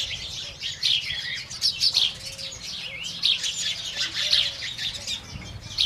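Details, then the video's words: A morning chorus of house sparrows in India, with loud clustered chirps rising into bursts every second or so over continuous softer twittering. "indian house sparrow birds"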